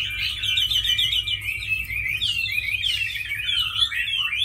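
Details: Fighting Chinese hwamei in captivity delivering an unbroken, rapid tumble of loud warbling whistles and trills, densely packed and varied, with a low hum underneath.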